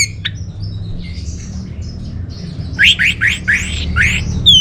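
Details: Orange-headed thrush song recorded in northern Bali, meant as a lure and master for caged birds: a few scattered faint notes, then a quick run of five loud rising, upslurred whistles, with a constant low droning hum.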